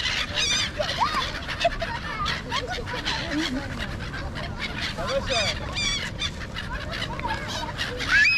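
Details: A large, noisy bird flock flying about Marina Mall, Kuwait. Continuous cascades of shrill, bending squawks and chatters overlap densely, with onlookers' voices in the background.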